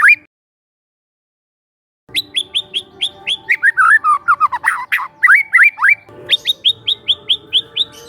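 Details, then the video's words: Young forest White-rumped shama used as a relaxed lure for training: after a short note and silence, bright high whistles repeat quickly, then a dense tumbling run of downslurred notes, then more evenly spaced whistles. "PANCINGAN SANTAI MURAI MUDA HUTAN🔴🔴 shama bird🔴 bird vocalization"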